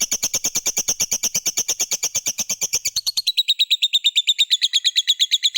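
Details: Lovebird ngekek, the long trill kept birds sing for, used as a lure to get other lovebirds singing: a fast run of sharp repeated chattering notes, about three per second, shifting slightly higher and tighter midway.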